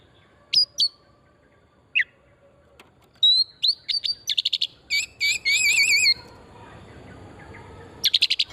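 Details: Oriental magpie-robin song used as a lure to stimulate singing, in a wild forest setting: sharp whistled upslurs, a rapid run of buzzy notes, then a long warbling trill, with pauses between bursts.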